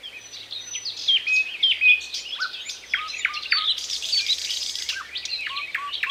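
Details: Thrush nightingale song, strong and varied, phrases delivered slowly with pauses between them. Includes a long high whistle, repeated sharp downslurred notes and a burst of buzzy hissing toward the end.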